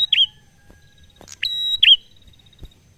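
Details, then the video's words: Relaxed 'ngalun' prinia song meant to lure other birds into singing: a falling twisted note, a pause, then a click, a level high whistle and another downslurred twist, over a low background murmur. "Prenjak Ngalun Santai Sangat Cocok Untuk Pancing Bunyi"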